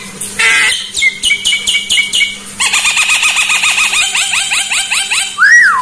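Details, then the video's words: Starling song used as masteran training material: a short harsh burst, then a string of sharp, repeated metallic chips about five per second, then a quicker run of looping, harmonic-rich whistles, ending on a loud rising-then-falling whistle. "masteran jalak paling di cari saat ini"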